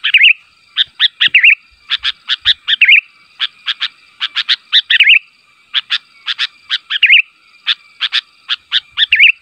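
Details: Calling sooty-headed bulbul, a call meant to make other bulbuls answer: dense runs of crisp staccato chirps, each group closing with a rolling warbled twist, repeated steadily throughout against a quiet background.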